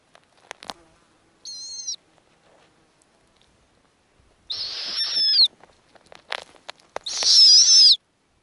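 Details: Snowy owl family on an Arctic nest during hatching, female feeding small owlets pieces of food; three high, wavering, whistled screeches with layered overtones, the first short, the last two longer and louder, between faint clicks and rustles.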